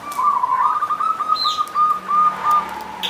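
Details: Local zebra dove singing near a punden on Mount Slamet's slopes, Banyumas: a long, loud run of rapid staccato cooing notes at a steady pitch, with a high chirp from another bird.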